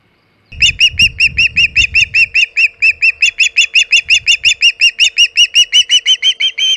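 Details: Osprey at its Hog Island nest with a large shad, 27 August 2019, about 3:50 pm EDT. After a brief flutter of wings, loud piercing chirps repeat steadily, nearly three per second, and climb slightly in pitch toward the end.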